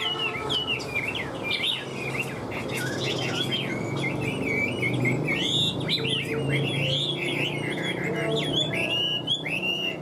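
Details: Captive hwamei, kept as a fighting songbird, sings a long unbroken medley of varied whistled phrases, jumping between pitches, over a low rumble.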